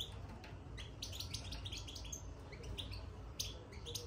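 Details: European goldfinch newly placed in a cage, uttering busy, high, bright twitters in tight clusters, some notes buzzy, repeated every second or so above a steady low hum.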